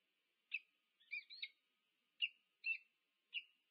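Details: Peregrine falcons at their nest at UC Berkeley, USA, filmed by nest camera on 2 November 2022 as the wild pair meets. Six short, sharp notes, two of them run together, sound over a faint steady tone.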